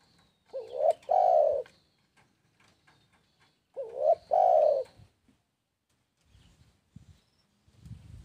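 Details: Spotted dove cooing: two loud phrases about three and a half seconds apart. Each is a short, wavering lead-in note, then a longer, level, hollow coo in a mid-low pitch. Faint clicks and low knocks fill the pauses.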